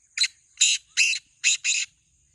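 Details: Rasping call of a black francolin: five loud, grating notes in quick succession, paired and uneven in rhythm, against a quiet background.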